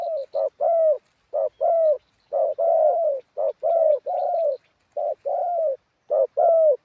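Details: Spotted dove used as a ground decoy, in a wild-style voice, delivering loud mellow coo pairs, a clipped hoot then a longer falling note, repeated about once a second, with faint high ticks behind.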